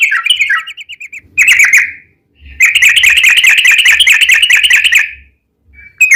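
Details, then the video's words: Yellow-vented bulbul song meant to lure other bulbuls into singing: short warbled notes, a brief burst, then a long unbroken run of rapid bubbly, trilling notes lasting over two seconds, ending with a short whistle. "trucukan gacor ROPEL PANJANG buat pancingan trucukan agar bunyi"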